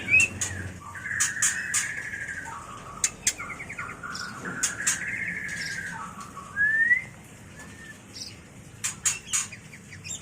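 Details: White-rumped shama mating call, used for training and luring birds: rich whistled phrases, mostly level with some rising slurs, interrupted by sharp dry clicks and a bright upward sweep near the end.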